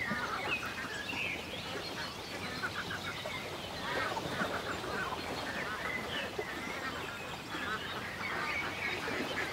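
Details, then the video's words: Ducks by a lake in the countryside on a calm day: harsh, nasal quacking and honking calls repeated irregularly throughout, set against a dense chorus of chirping songbirds and a steady outdoor background hiss. "A Peaceful Day in the Country with Ducks Ambience"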